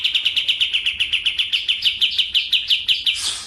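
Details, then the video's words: Kapas tembak white-eye from Medan singing in the speed 'nembak' style: steady, high, chipping notes repeated about five times a second throughout, ending in a short burst of hiss. "KAPAS TEMBAK MEDAN GACOR ISIAN SUARA PEDAS NGEROLL SPEED NEMBAK EDAN"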